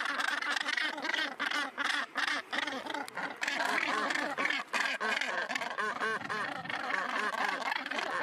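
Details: A northern gannet breeding colony on Helgoland, Germany, fills the air with rough, rasping, repeated calls from several birds, delivered in choppy bursts and overlapping one another.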